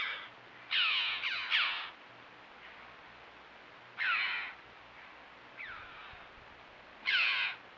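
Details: Red-billed choughs caught on a camera trap in limestone canyons: harsh, strident, downslurred calls in short bursts, a quick double call then single calls every two to three seconds, over a quiet background.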